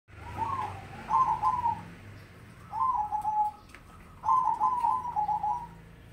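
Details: Mocha-coloured crossbred zebra dove singing actively: three phrases of rolling, trilled coos at a steady mid pitch, each phrase about a second long and separated by short pauses, with a faint low room hum beneath.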